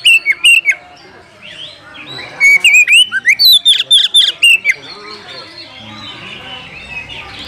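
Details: Call of an Oriental magpie-robin seeking a rival to fight: short whistles open, then a dense run of sharp rising whistled notes, before a long stretch of fainter murmuring background.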